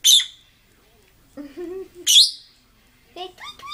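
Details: An upset pet lovebird gives two loud, harsh, high screeches about two seconds apart, each very brief, with a person's voice and laughter filling the gaps between them.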